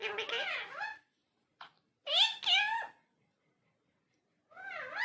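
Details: Talking parrot uttering speech-like wavering phrases: a long undulating phrase, a short click, two bright falling syllables, then after a pause another rising, warbling phrase.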